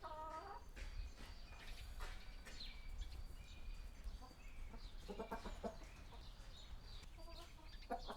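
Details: Several hens in a small village chicken coop cluck and murmur in short, overlapping notes with occasional higher squawks, over a steady low rumble of background noise.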